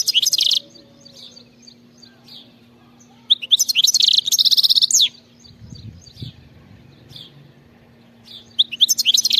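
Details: Wild European goldfinch singing bursts of high, rapid twittering and tinkling notes, separated by pauses of a few seconds, over a low steady hum.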